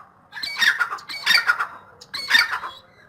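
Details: Three harsh, grating bursts of rapid notes from a grey francolin (dakhni teetar), each under half a second, spaced evenly, over faint low background noise.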